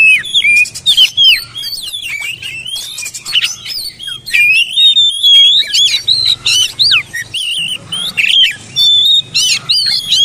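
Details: Oriental magpie-robin singing to spur mute birds into song: a long, busy stream of whistled slides, chattering buzzes and sharp chirps, loud and unbroken with only short gaps.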